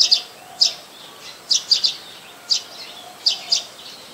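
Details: Streak-eared Bulbul, a very common resident, recorded 4 February 2020 in Ubon Ratchathani, Thailand: short, sharp high chirps, single or in quick pairs, spaced unevenly over about four seconds against a quiet background hiss.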